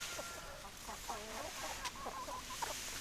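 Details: Chickens clucking: hens giving many overlapping short clucks and soft murmurs over a steady hiss, several birds calling at once without pause for three seconds.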